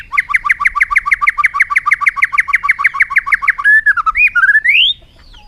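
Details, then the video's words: Bird song with a fast run of about twenty repeated rising chirps, roughly three per second, then a few longer slurred whistles climbing upward at the end, over a faint low hum. "suab noog quaj zoo heev"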